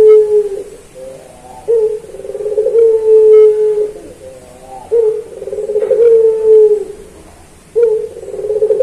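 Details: Master recording of a puter pelung Barbary dove for training pet doves. Three long low coos, each starting abruptly, swelling, then fading over about two seconds, separated by quieter pauses.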